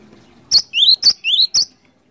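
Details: Cinereous tit in ngerol ngeplong gacor song, for luring: five crisp, high notes alternate between a sharp chip and a rising sweep, packed into about one second.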